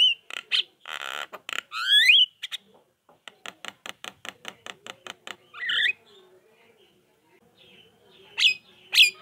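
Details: Javan myna chattering, played to make silent mynas respond: squeaky and rasping notes, a fast run of dry clicks, then sliding whistles and two sharp high squeals near the end.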